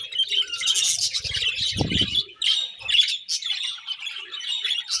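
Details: Morning chirping of budgerigars: loud, continuous high chatter of squeaky and buzzy notes with sharp accented chirps, interrupted once by a brief low thump.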